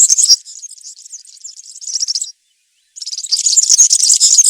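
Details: Country-style serin song recorded in woodland: a high, rattling twitter that fades, a half-second silence, then a louder, denser burst of tinkling, buzzy notes.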